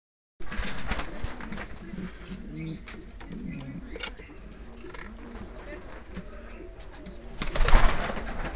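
King pigeons coo in low, rolling, overlapping phrases, several birds at once, with a brief burst of wing flapping near the end.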